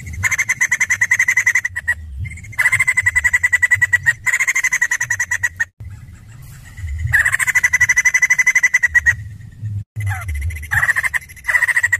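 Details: White-crested laughingthrush singing energetically in long bursts of fast, strident chattering notes, each run lasting about two seconds and separated by brief silences, with a constant low hum underneath.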